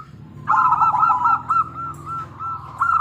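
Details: Zebra dove from local birds, a keen singer used to lure other doves into answering. A short burst of rolling coos fades into drawn-out softer notes against a steady low hum.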